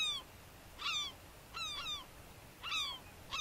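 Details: Herring gull (argenteus) recorded in the Uitkerkse Polder, Belgium, February 2011, calling with strident falling yelps, single or doubled, spaced about a second apart against soft background hiss.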